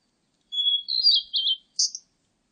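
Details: A Blue-and-white flycatcher gives a steady thin whistle that breaks into quick warbled, rolling notes and ends with one high buzzy chip. The background is quiet.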